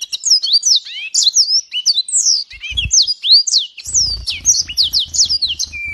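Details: A yellow-fronted canary (green singing finch, Mozambique) sings a fast, unbroken run of bright whistles, slurred notes and sweet trills. Low knocking sounds come from nearby in the second half.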